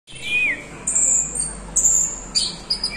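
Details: Orange-headed thrush singing in the swaying 'doyong teler' manner, with a clear falling whistle, then sustained high thin notes and short sharp bursts toward the end.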